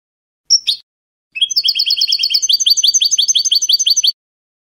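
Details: European goldfinch, Spanish salon singing style: one sharp whistled call, a pause, then a fast, regular trill of rolling twittered notes that shifts midway to slightly lower repeated chirps.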